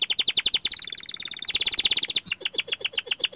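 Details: Young canary in full song, pouring out fast repeated down-slurred notes, a brief level whistle, a dense trill, then evenly spaced bright chirps roughly four per second.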